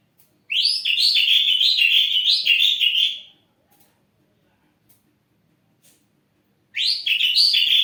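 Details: An ashy drongo kept in a cage pours out a fast, rich warbled phrase of chattering whistled notes for about three seconds, falls silent, then bursts into the same lively warble again.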